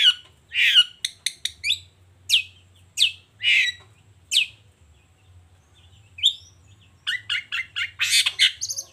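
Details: Morning 'gacor' singing from a long-tailed shrike unloading its repertoire: a quick run of sharp, high chirps and clipped notes, a pause with a lone whistled note, then a fast, dense burst of stacked chips.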